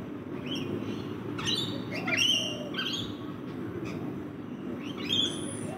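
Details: Rainbow lorikeets at a backyard feeding spot: a flurry of strident, scratchy screeches in the middle, then a brief lull and one more shrill call, all over a low rumbling background.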